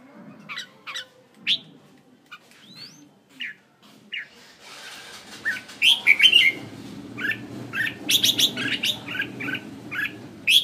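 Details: Caged red-whiskered bulbul kept as a decoy bird in Hanoi, Vietnam, giving scattered short chirps and whistled notes, then a busier run of bright chirping phrases in the second half over faint low background rumble.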